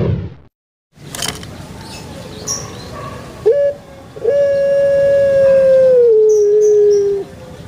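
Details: Kept Barbary dove of the puter pelung type, prized for its long drawn voice: a short coo followed by one long, steady, low hollow note that slowly falls at the end, over steady background hiss.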